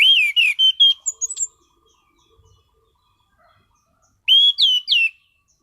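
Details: Strong, varied song of a caged orange-headed thrush: a rapid string of about seven rich whistled notes ending in a high squeaky flourish, then a later four-note whistled phrase.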